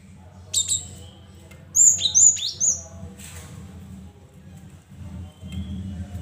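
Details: Cinereous tit singing, a recording meant to lure silent caged tits into answering. A sharp high note, then a burst of piercing whistles with lower downslurred notes, rising and falling, over a constant low hum.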